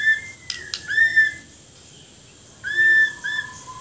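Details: Borneo white-rumped shama giving a few clear whistled notes, a brief sharp click, then about a second of silence before more smooth whistles, some sliding downward.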